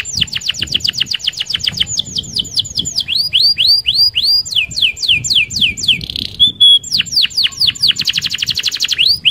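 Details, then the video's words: Hard-driving canary roll song, used to lure other canaries: an extremely rapid high trill, then chains of swept whistles, a buzzy note with a clear held tone, and another dense rattling trill. "SUARA KENARI Gacor Roll Sped Mantap - Cocok Buat Pancingan Kenari Anda"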